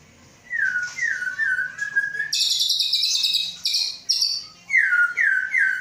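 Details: White-rumped shama from Aceh, caged male of Samurai CBF bloodline with a Gayo Lues mother, hatched 23 August 2012; slurred falling whistles repeated thrice, a long high buzzy trill, then the falling whistles again.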